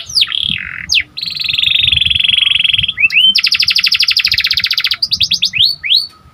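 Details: Panda canary singing energetically to stimulate other canaries: a looping whistle, then a long buzzy roll, paired rising notes and a fast even rattle, ending in separate falling whistles.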